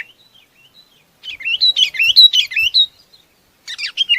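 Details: Faint soft notes lead into a Chinese babax calling its flock: a burst of harsh, wavering slurred chirps, a pause, then another short chattering run.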